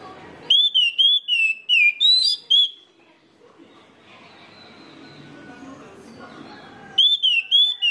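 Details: Orange-headed thrush singing a lure song meant to set off other orange-headed thrushes: bright, wavering whistled phrases at the start, a long quiet gap with faint background, then another burst of fluid whistles near the end.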